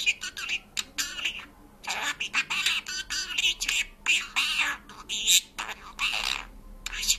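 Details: Talking and singing parrot mimicking Georgian speech: a dense run of bright, raspy syllable bursts with short pauses between phrases, voice-like and high-pitched, in a quiet indoor setting.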